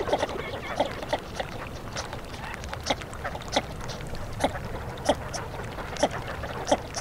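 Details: Northern shoveler giving short, low, nasal knocking notes, single or in pairs, repeated irregularly about every half second to second, over a steady background hiss.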